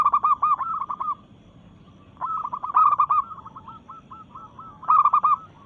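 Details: Local zebra dove singing vigorously, challenging rivals in breeding mood: rapid chains of rolling coos, with a softer, evenly spaced rolling series in the middle.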